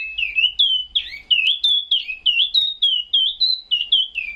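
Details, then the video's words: Caged Chinese hwamei at 2 a.m., destined for Vũng Tàu, pouring out energetic whistled song: short looping notes that dip and rise, repeated rapidly and evenly with a faint low rumble beneath. "02H:00 Sáng Chim Tiểu Mi Siêu Hót"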